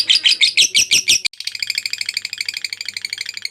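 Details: Lovebird ngekek sequence for training birds: about a second of loud, harsh, slower chattering notes, then a quicker, softer, even trill of rapid buzzy pulses.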